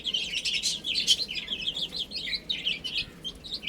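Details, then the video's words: Baby chickens chirp while feeding, making rapid, high, slurred peeps that follow closely one after another and overlap between several birds. "Cute Chicks Chirping Sounds"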